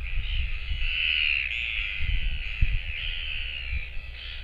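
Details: Alone at its nest on 24 July 2024, with no parents coming back, a Royal albatross chick utters drawn-out, slightly whistled wailing notes, one long call blending into the next, with low wind thumps on the nest camera.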